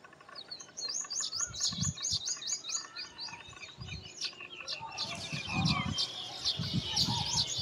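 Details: Baya weavers around their nests during nest building. Fast runs of high ticking chirps give way to a denser buzzy chatter, with low thumping knocks underneath.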